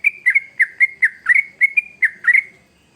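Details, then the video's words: Trucuk, the yellow-vented bulbul, in lively song used as a lure for young birds: around ten rich, slurred, bouncing notes in quick succession, some doubled, fading out at the end. "Trucukan Gacor ngamuk Pancingan Terbaik Untuk Burung Paud"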